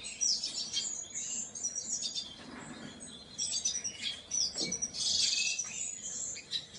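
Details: Painted bunting, high rapid tweets and sweet chirping notes run together in bursts, with a few louder sharp notes and a soft low rustle partway through.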